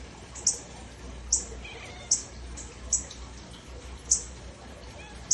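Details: A northern cardinal, chirping near a pet cat, gives sharp, high, metallic chips, one roughly every second, over a low background hum.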